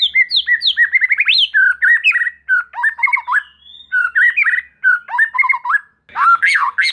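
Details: White-rumped shama lure song, used to stir fighting spirit and make young spotted shamas answer quickly: rapid varied whistled phrases, rising and falling notes in quick bursts with short pauses, ending in a louder burst of mixed notes.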